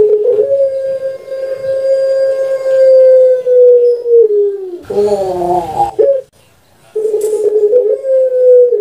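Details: Long-voiced puter pelung dove, a pet bird popular on Java, Indonesia, recorded as a master recording for training: a steady sustained coo of about five seconds dropping slightly, a throaty gurgling roll, then another long coo begins.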